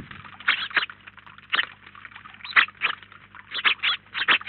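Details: House sparrow (Passer domesticus) flock at a garden feeder in Collado Villalba, up to 19 birds at once: short harsh chirps in uneven overlapping bursts, several birds calling together over a faint low hum.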